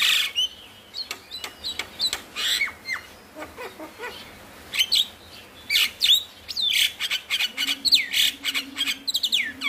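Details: Javan myna song played to encourage lazy mynas to sing: a varied, rambling mix of harsh rasps, squeaky upward whistles and dense chattering notes, with a low steady tone beneath the final seconds.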